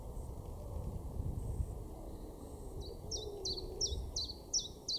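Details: Common Chiffchaff in a garden in Weener, East Frisia, northwest Germany, in May, its song beginning after a quiet spell: six high, sharp, falling notes repeated roughly three per second, over low rumbling background noise.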